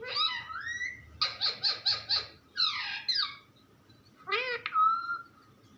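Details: Talking pet parrot: a sliding whistled phrase is followed by a run of five pulsing syllables, then a falling chatter and a rising squawk ending in a steady whistle.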